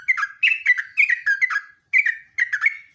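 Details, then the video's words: Lure and master recording of a sooty-headed bulbul (jogjog/trucuk) in lively ngeropel song, a near-continuous stream of loud, rapid, liquid chirping notes, rising and falling, broken by one short pause. "BURUNG JOGJOG/TRUCUK NGEROPEL"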